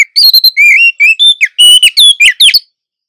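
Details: Oriental magpie-robin female in breeding condition calling to draw in the male, in a back-and-forth exchange: a quick run of bright whistles, rising and falling slurs and sharp chirps, ending abruptly in silence.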